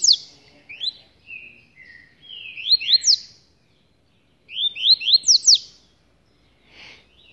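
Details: Rusty-collared seedeater singing from a cage carried in the hand: soft introductory notes, then bursts of rapid rising whistles, a pause, and another energetic phrase.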